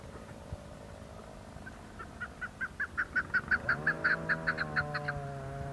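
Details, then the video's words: Chukar partridges calling in the hills of Budgam, Kashmir, in October 2021: a run of sharp clucking notes that speed up and grow louder over about three seconds; a low steady engine-like hum joins partway. "Chukar patridges calling"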